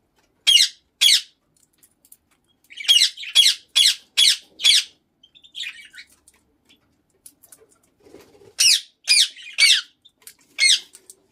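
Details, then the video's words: Pet lutino Indian ringneck parakeet calling in a small room: harsh, shrill squawks in quick runs of two, then five, then four, separated by quiet gaps with faint soft chatter. "Indian Ringneck Lutino"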